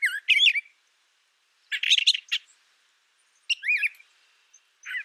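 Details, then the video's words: Brown thrasher phrases sung in short bursts: a scratchy rising note pair, a dense harsh chattering group, then downward slurred whistles, spaced by roughly a second of quiet. "Brown Thrasher Bird Sound, Bird Song"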